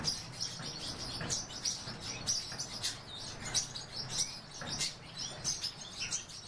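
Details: Pine grosbeaks, a breeding pair, giving a rapid scatter of short, high chirps, irregularly spaced and about three-quarters of a second apart, over a steady background hiss.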